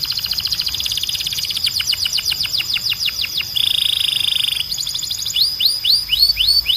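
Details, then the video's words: Belgian canary song meant to train young birds: a rapid trill that broadens into loud, fast, downward-swept whistles, a sustained buzzy roll, then slower spaced whistled sweeps at the end. "Canário Belga Cantando 2026 🔥 Canto Forte e Limpo Para Treinar Pássaros"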